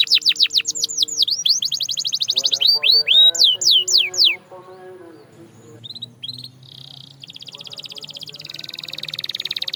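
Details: Canary song to coax silent canaries into singing, with quick trills and swooping notes at first, followed by softer mixed chatter and a fast high rolling trill building in volume.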